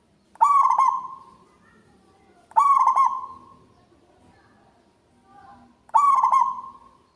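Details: Local zebra dove singing actively, with a loud, ringing voice. Three loud cooing phrases, each opening with a fast stuttered burst and then a sustained, fading coo. They come about every two to three seconds over a faint low background hum.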